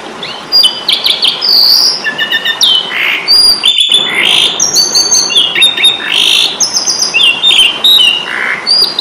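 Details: Asian pied starling (jalak suren) in fighting mode, Indonesian training recording for songbirds: loud, varied song of high whistles, squeaky slurs and harsh rasping bursts, closely packed, with a brief dropout near the middle.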